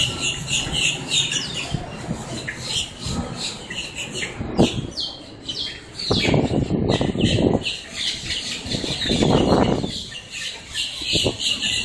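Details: Flock of blackbirds in Miami, Florida, making quite a racket up close: dense overlapping high squawks and chatter with no steady rhythm, broken by low rumbling bursts of background noise.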